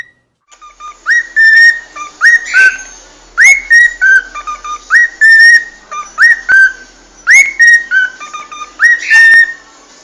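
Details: Cockatiels singing: a clear whistled phrase that slides up, holds steady, then steps down, with a short raspy burst between notes. The same pattern repeats about every two and a half seconds, each phrase ending in a sharp click.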